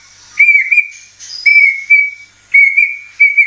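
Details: White-rumped shama (murai batu) sound of clear, steady whistled notes on one pitch. The notes come in pairs, each lasting about a second, separated by short pauses.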